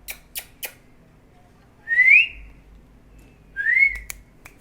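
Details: A pet Indian ringneck (rose-ringed) parakeet gives two clear rising whistles about two seconds apart, after three sharp clicks at the start; no words are heard.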